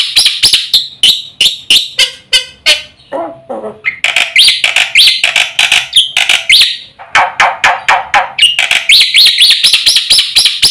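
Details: Black-winged myna in fast, full song, used as a lure for silent mynas: a long varied stream of harsh chatters, whistles and rising notes, some lower rattling phrases, with dense bursts throughout.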